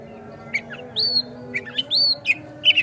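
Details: Oriental magpie-robin (kacer) lure song for provoking a rival to sing and fan its tail: a few loud, drawn-out whistles rising then falling, mixed with short harsh chips, over a faint background hum.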